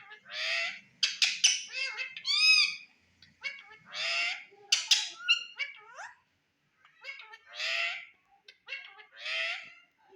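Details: Pet Indian ringneck parakeet talking in front of a mirror: harsh, nasal, speech-like phrases in short bursts with brief pauses between them, some notes rising and falling, in a quiet room.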